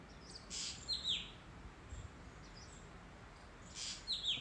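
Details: White-bellied drongo calling: short, sharp chirped notes that drop steeply in pitch, given in two quick clusters near the start and end, over a soft hiss of background noise.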